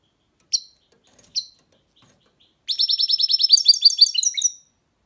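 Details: Goldfinch hybrid (mule) gives two sharp, separate high call notes, then bursts into a quick, rattling trill of repeated chirps lasting about two seconds.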